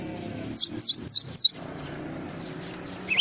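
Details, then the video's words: Java sparrow tutor recording for training songbirds: four loud, clear chirps, each a quick high note sliding downward, about a quarter second apart, then low background rumble and one more rising chirp at the end. "masteran burung gelatik"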